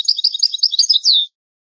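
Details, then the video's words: Brief snatch of European goldfinch song in the old, original style from a rare tape: just over a second of quick, high twittering notes closing with a drawn-out, descending whistle. "شريط نادر للغة الحسون الاصلية Chant chardonneret ancien"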